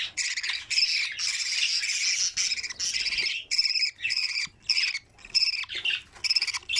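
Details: Budgerigar chicks in the nest feeding each other: a long harsh rasping run, then separate scratchy, buzzy bursts with short silences between them.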